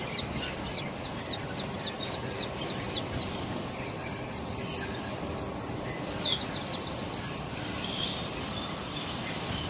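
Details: In spring, a thrush nightingale repeats high, sharp descending notes in two quick runs, each note slurring downward, with a brief pause between phrases and a steady hiss behind.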